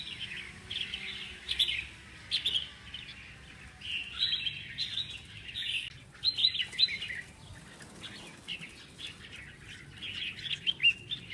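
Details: Caged red-whiskered bulbuls at the smallest branch of a three-branch bird farm; bright chirpy whistled phrases rise and fall in bursts every second or two, several birds overlapping, over a faint steady hiss.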